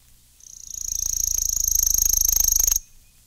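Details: Worm-eating Warbler song: a dry, rapid, insect-like trill of even, very fast pulses. It holds steady at a high pitch for about two and a half seconds, then stops abruptly. The background is quiet.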